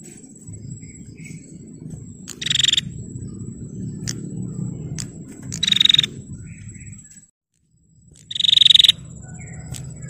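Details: Female bar-winged prinia calling to provoke males: three bursts of rapid, high-pitched, buzzy pulsed notes, spaced roughly three seconds apart, against a steady thin high tone and low murmuring background noise.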